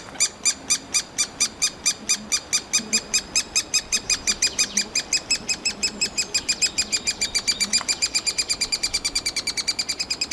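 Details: Eurasian three-toed woodpecker chicks in their nest cavity in summer beg with a rapid, relentless stream of high, harsh chirps, about five to six per second, rising in pace and intensity, urging the parents to bring insects.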